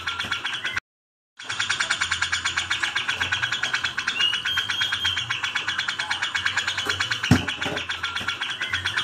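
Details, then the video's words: A Grey-cheeked bulbul fighting a sparrow gives harsh, rapid chattering nonstop at about ten notes a second, with higher squeaky notes mixed in and a brief silence near the start. "Cucak jenggot vs gereja tarung"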